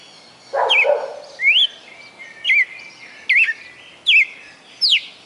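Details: Caged Red-cowled cardinal from Fortaleza, Ceará, Brazil, delivering its song of over twenty notes: loud whistled notes, some upslurred, some twisting, spaced under a second apart, with a brief lower murmur near the start.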